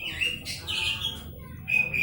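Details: Talkative hill myna known for imitating greetings, laughing and coughing: high, bright whistled phrases and rasping squawk-like notes, a pause, then two more clear whistles.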